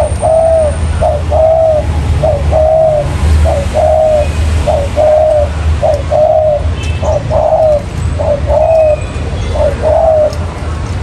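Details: Lure call of a spotted dove in 'trơn ròng mailai' style for trapping: clear, regular coos, a short note then a longer mellow one, repeated roughly every second with a faint low rumble behind.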